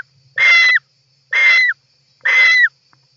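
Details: European roller nest interior, 18 July 2024: three harsh, raspy calls with a rising then dropping tone, about one per second, in an otherwise quiet nest.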